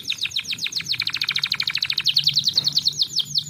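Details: Canary song for luring reluctant birds to sing: a continuous rapid trill of bright repeated notes, about eight per second, shifting midway into a higher, slightly buzzier trill; low steady hum in the background.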